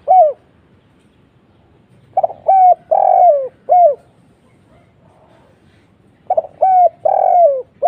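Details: Lure call of a spotted dove meant to make other doves reply: two full phrases, each a rapid stutter followed by three hollow, low coos with a long drawn middle note that falls away. A quiet pause separates the phrases.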